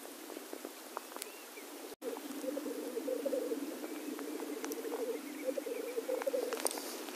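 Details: Black grouse males at a lek give a continuous low, bubbling cooing, rolling phrases overlapping into a steady murmur, with faint higher clicks and hisses above.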